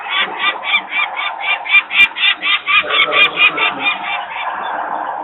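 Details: Screaming peregrine falcon parents pace near their nest in Włocławek, Poland, on 23 May 2022, disturbed by nearby workers' noise while the young wait on the landing. Raspy kak-kak series, about four per second, fades into background rumble after three seconds.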